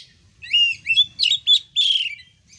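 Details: Kacer (Oriental magpie-robin) lure recording for birds whose voice is not yet loud: a few drawn-out, clear whistled notes with buzzy overtones, separated by short gaps, over a soft low rumble.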